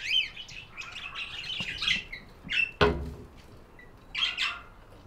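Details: Budgerigars chirping indoors: bursts of bright, warbling chatter with quick rising and falling notes, a sharp click near the middle, then another short burst of twittering near the end.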